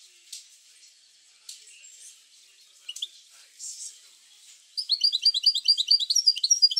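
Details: European goldfinch recording for stimulating goldfinches to sing: faint scattered high chips at first, then a lively, rapid twittering phrase of bright repeated notes bursting in near the end.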